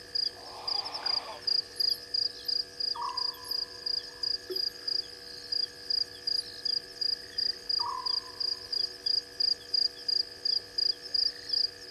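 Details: Grey heron at a waterhole in Djuma Game Reserve, Sabi Sand, South Africa, just after midnight on 23 March 2020: one coarse, grating croak early on, then only dense regular insect chirping and occasional soft descending frog calls.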